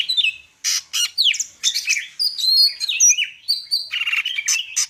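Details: Greater green leafbird, Medan type, in full varied song: buzzy bursts alternating with clear whistled phrases and downward-sliding notes, continuous and lively.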